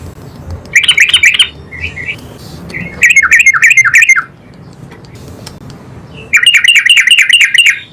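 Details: Energetic yellow-vented bulbul replying at once: three loud bursts of rapid, buzzy, bubbling notes, with softer chirps and low background rumble between them.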